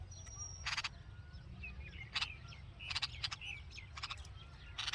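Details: Hungry baby red-vented bulbuls chirping in the nest beside their mother; sharp, scratchy chirp bursts repeat every half second to second, with soft short whistled notes between them and low background rumble.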